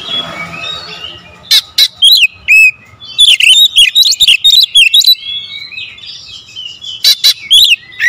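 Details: Kacer, the Oriental magpie-robin, singing a dense 'tembakan rapat' lure song: faint warbling, then bursts of sharp high whistles and chattering slurs in quick runs, a pause, and more clipped notes at the end.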